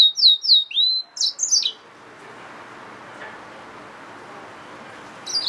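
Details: Hybrid yellow-fronted canary mule giving a brief burst of high, sweet, slurred notes for under two seconds, followed by a long quiet pause with faint room noise and a hint of a resumed phrase at the end.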